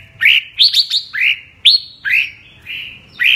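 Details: Red-whiskered bulbul, 'mơ' type, singing double-voice (giọng kép): clear, full whistled notes that swoop upward then level off, given singly and in quick pairs about every half second.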